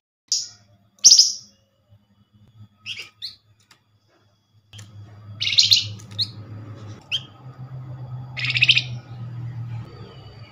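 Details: Flamboyan call used as a lure to draw a quick reply from other Flamboyan birds: short, harsh, buzzy chattering bursts, high-pitched, given at irregular intervals, with a steady low hum in the second half.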